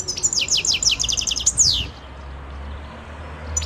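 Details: European goldfinch recorded in 2011: a fast run of high tinkling paired notes followed by a descending buzzy slur, then quiet with a low hum.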